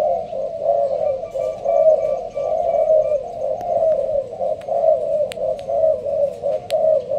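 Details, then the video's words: Spotted dove of the Malaysian strain, kept caged under leaf cover, performing a slow-paced rapid coo. Soft, throaty coos roll on steadily about once a second. Thin high whistles and sharp ticks sound faintly behind it. "Con trong lụp lá, Malaysia thúc gù bài thưa. thích hợp ae nuôi kiểng nghe gáy gù."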